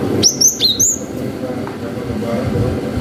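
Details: Javan munia, called gelatik batu, giving the "wucit" song played as a lure to excite young birds: a quick string of four high, thin, bending whistles within one second, then background rumble.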